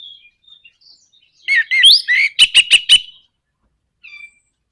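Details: Orange-headed thrush song used to goad other birds into singing: soft thin whistles, then a loud run of slurred, warbled phrases and four sharp clicking notes, ending after a pause with a short whistled note.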